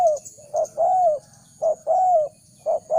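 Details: Spotted dove call used to lure wild doves: deep, hollow coos, a short note then a longer drawn-out croo, the pattern repeating about every second, over a steady thin high hiss.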